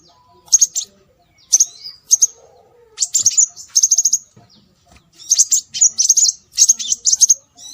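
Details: Lure calls of scarlet minivet meant to attract birds, given as shrill, high chirps, some in quick rattling runs of four or five notes, separated by brief silences, with a soft low whistle heard once.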